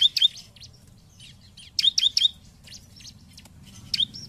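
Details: Bar-winged prinia lure song meant to make rivals sing: paired and tripled sharp high chirps, followed by softer scattered notes and a single closing chirp.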